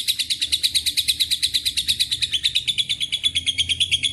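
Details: Lovebird ngekek panjang mixed with cililin and canary phrases: a short burst of evenly spaced, very fast high buzzy pulses, strong and clear, sliding slightly lower toward the close.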